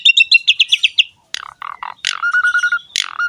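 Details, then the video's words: Javan pied starling giving ngerek song as a tutor recording: a quick series of about nine bright chirps, a pause, then low grating stutters and a run of short clear whistled notes on one pitch. "BURUNG JALAK SUREN GACOR NGEREK ISTIMEWA"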